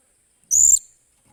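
A Blue-crowned hanging parrot gives one thin, shrill, very high note lasting about a third of a second, with faint low rumble beneath.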